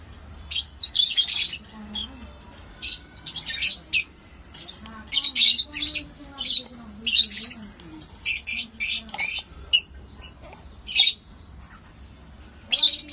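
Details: Lovebirds chirping in a steady run of sharp, squawky chirp bursts, grouped in clusters separated by short pauses, with a faint low voice beneath.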